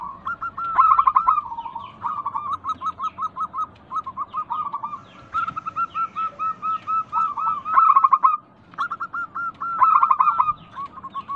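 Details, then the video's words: Lure recording of local Indonesian zebra doves, meant to get doves singing: long runs of rapid, regularly repeated coo notes with several birds overlapping and louder bursts standing out every few seconds. "Pancingan Ampuh burung perkutut lokal bikin nyaut kutut sekampung Untuk Atasi macet bunyi"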